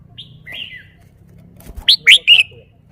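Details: A caged red-whiskered bulbul opens with soft thin whistles, pauses, then bursts into three loud, rising slurred notes in quick succession, with a low thump and faint hum underneath.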